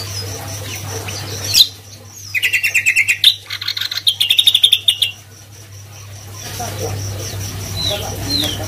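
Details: Greater green leafbird singing actively: a sharp note, then bursts of rapid, dry, evenly repeated notes in quick chattering runs for about three seconds, with quieter notes trailing after and a steady low hum underneath throughout.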